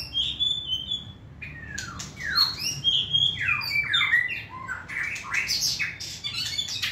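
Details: Tame caged white-rumped shama, a competition-standard singer, pouring out a fast, varied song of clear whistles and steep downslurred notes, with sharp high chips between phrases in a quiet indoor space.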